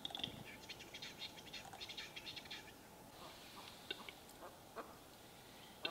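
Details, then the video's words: Western capercaillie lek in spring 2022 in eastern Lapland, Finland: a display of a quick run of dry, knocking clicks speeding into a scraping rattle, then scattered single clicks against a faint background hiss. "Metson soidin"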